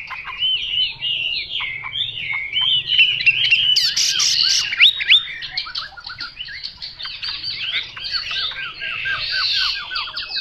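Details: Chinese hwamei singing a long, rapid song of repeated looping whistles, about three or four notes a second, rising to a loud, harsh peak near four seconds, then continuing in varied slurred phrases.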